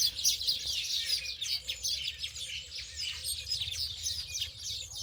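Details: A steady, busy chorus of high chirps and twitters from many birds runs throughout, with rapid overlapping notes and little pause.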